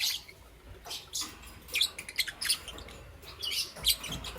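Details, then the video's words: Dense morning chirping from lovebirds of green, yellow and lutino colours: overlapping harsh, buzzy high squeaks come in irregular rapid bursts, with a steady noisy background. "Lovebird Chirping Sounds"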